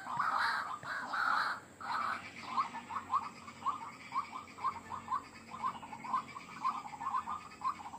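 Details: White-breasted waterhen, recorded as a lure for wild birds: a few loud rough croaks, then a long run of short clipped notes repeated about once a second.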